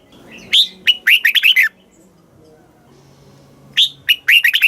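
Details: Red-whiskered bulbul singing in a cage in Thailand, southern master-song style for exciting birds and teaching chicks; two phrases, each a loud opening whistle then a rapid run of rolling, downward-slurred notes, with a quiet gap between.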